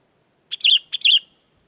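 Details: Sooty-headed bulbul giving lively song meant to prompt wild bulbuls to answer and sing: two clear phrases, each a short high note running into a wavering, liquid whistle.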